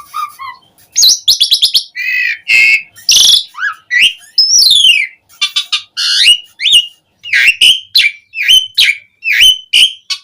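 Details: Lively Asian pied starling song, full of fill phrases and played as a lure to get starlings singing. Rapid mixed phrases: fast stuttering trills, buzzy bursts, high slurred whistles and a string of repeated clear downslurred notes.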